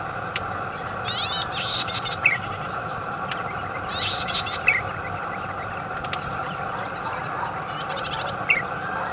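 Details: Golden-headed cisticola song with melodious phrasing: three short buzzy bursts, each ending in a thin rising note, spaced a few seconds apart over a steady low engine-like hum.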